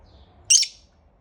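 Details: Pet lovebird in the morning uttering one loud, shrill, slightly buzzy chirp over faint background hum.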